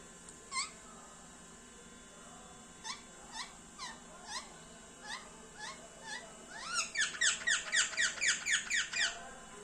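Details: Pet Indian parrot indoors chirping: spaced, squeaky rising notes every second or so, then a quicker burst of about ten bright, rapidly repeated chirps toward the end, over a steady background hum.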